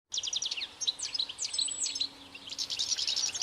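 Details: European goldfinch singing a fast, tinkling twitter of high, sharply bending notes in quick bursts, with short trills and a steady stream of chirps through the whole stretch, over faint background hiss.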